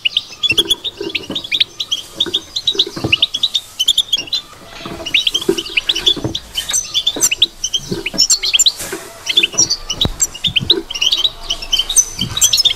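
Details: European goldfinch batbata, a chattering song style: dense run of short high twittering and tinkling notes, quick and irregular, with soft low knocks and clatter beneath.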